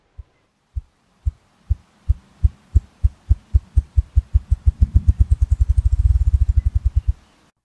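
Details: A male ruffed grouse drums to attract females and proclaim territory, likely from a log, stump or rock: deep, hollow thumps start about half a second apart and speed up into a low, rapid whir over seven seconds.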